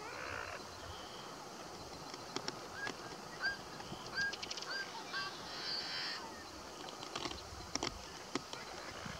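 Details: Ruddy duck in Southern Alberta, Canada, making bubbles in its courtship display: dry, irregular ticks with short chirping notes and a brief buzzy burst, over steady outdoor hiss.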